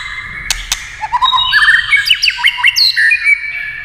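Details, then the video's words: White-rumped shama, prompted by tail-tapping, gives rapid rising trills that break into varied looping whistles, with two sharp clicks near the start. "chòe lửa tạch đập đuôi cạch cạch kích thích chòe lửa hót"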